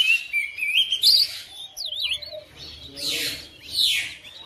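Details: Home-kept oriental magpie-robin replying to another bird: a rising whistled phrase, then a zigzag whistle, followed by two loud harsh rasping bursts about a second apart.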